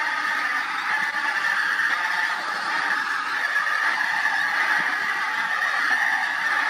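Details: Very large flock of pink-footed geese lifting off from fields west of Montrose Basin in September, a dense continuous chorus of overlapping honking calls with no pauses and no other sounds standing out.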